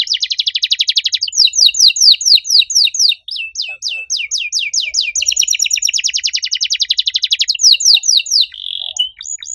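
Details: Canary singing vigorously with a loud voice and an unusual cengkok song style: fast trills of sweeping notes high in pitch, shifting between rapid chattering runs and a brief steady buzzy tone near the end, with no other sounds.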